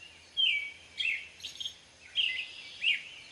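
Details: American robin song: slurred whistled notes with some higher thin phrases, a few per second, over low background hum and hiss.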